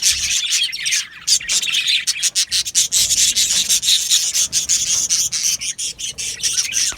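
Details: Australian budgerigars in an aviary colony, many birds chattering at once: a dense, scratchy wash of high chirps and rasping notes with frequent short breaks, no clear single voice.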